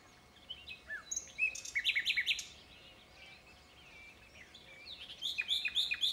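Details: Common nightingale in song, with varied phrases: a burst of rapid chattering, twittering notes, a pause, then another cluster of high, sharp, fast-repeated notes.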